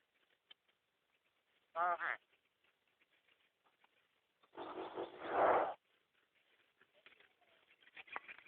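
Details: Myna recorded on a mobile phone. A short, harsh, buzzy burst is followed a few seconds later by a longer, louder raspy squawk. Faint scattered clicks and rustles fill the gaps.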